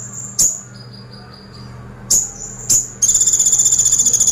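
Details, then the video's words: Brown-throated sunbird in energetic 'tembakan pelatuk' song: three piercing high chips with soft buzzy notes between, then a rapid, steady, machine-gun rattle running to the end, a low electrical hum behind. "KONIN GACOR FULL TEMBAKAN PELATUK - KONIN TEMBAKAN PELATUK"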